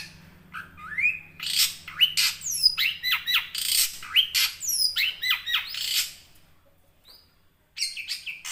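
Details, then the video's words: Young wild long-tailed shrike (cendet) 'ngerol' song, played as a lure for silent caged shrikes: harsh squawking notes mixed with rising and falling whistles for six seconds, a brief pause, then renewed chatter. "Cendet ngerol buat pancingan burung cendet macet"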